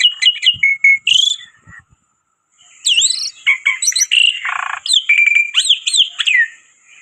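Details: Loud lure-style song from a black-winged myna: fast chirps and a high rising whistle, then a brief pause before sweeping whistles, a rasping buzzy note and a string of clipped high notes.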